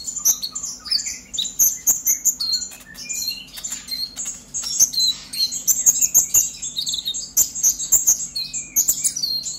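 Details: Purple-throated sunbird in excited, chattering song, used to spur untrained sunbirds into singing: a dense run of very high, thin chirps and short sweeping twitters, many notes per second with brief pauses, and faint clicks.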